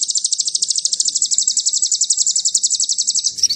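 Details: Lure song of the Ruby-cheeked sunbird (sogon) in 'nembak cililin' style, played to excite other birds: a high, sizzling, rapidly pulsed trill that runs steadily, then breaks into a brief jumbled burst at the end.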